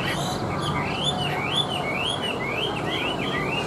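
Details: Chinese hwamei, hand-tamed and caged, singing when placed on a table: a run of rolling, wavy whistled notes repeated roughly twice a second, rising and falling in pitch.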